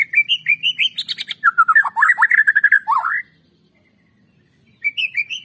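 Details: Lure recording of a white-rumped shama singing to prompt other shamas into song: rising whistled notes, then a fast tumbling run of slurred, chattering phrases for about three seconds, a pause, and a new whistled phrase starting.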